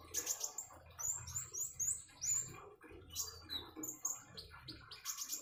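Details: Common iora heard over gurgling water, giving a series of clear, very high downslurred notes, several in quick succession, then scattered sharp chirps and brief trills with a soft low rumble below.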